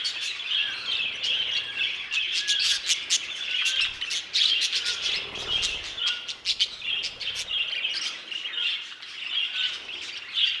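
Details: In an aviary, budgerigars give a constant layered chorus of bright chirps and twitters, sharp ticks standing out, with a soft low rumble midway.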